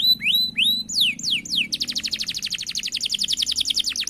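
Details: Energetic canary delivering a long roll: a few rising and falling whistled sweeps give way to a fast, even trill of bright repeated notes that runs to the end.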